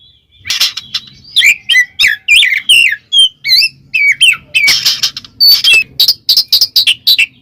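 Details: Oriental magpie-robin (Kacer) singing in ngeplong style, calling a rival to provoke other males: loud, varied whistled phrases and sharp chirps, rising and falling notes in quick bursts separated by brief pauses.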